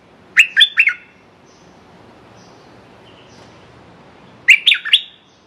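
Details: Red-whiskered bulbul decoy luring a territorial wild bird, giving two short, bubbly three-note whistled phrases about four seconds apart, with soft faint chirps between them.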